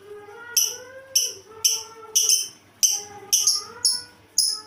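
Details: Lovebird producing a strange call: sharp, high, rasping chirps repeated about twice a second, each with a quick start that fades. Steady lower tonal sounds run underneath.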